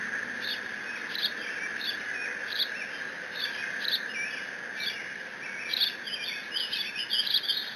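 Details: Lone bald eagle eaglet in the Decorah nest, live cam, June 30, 2017, mantles Dad's fish and squees. Repeated high chirps building to a fast, twittering run of notes toward the end, over steady hum.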